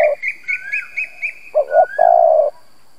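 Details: Lure spotted dove giving a short run of low coos ending in one long, steady coo, after a string of quick, higher chirps from another bird.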